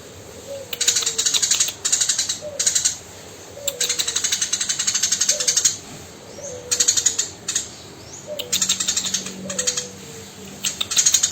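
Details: Eurasian tree sparrow, tame and vocal, gives rough rapid chatters in separate bursts of one to two seconds, with quiet gaps, while soft descending whistles repeat faintly behind.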